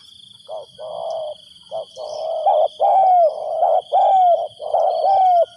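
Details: Spotted dove used as a decoy to call in wild doves: a series of low, hoarse cooing phrases, some with a short rising-falling inflection, repeated roughly once a second, over a steady high insect whine.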